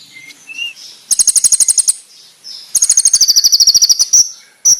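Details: Konin song used as a master recording for training, with a rich, full, sharp, loud and clear delivery: brief high thin notes, then bursts of rapid, very high buzzy trills, each lasting about a second, with short chips between.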